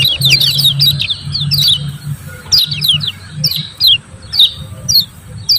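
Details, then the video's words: Lemon-bellied white-eye song used to coax reluctant birds into singing: bursts of sharp high chirps, first a dense cluster, then single notes roughly every second, over a low hum. "CIAK CIAK JOS PANCINGAN KECIAL KUNING MALAS BUNYI LANGSUNG NGEJOS"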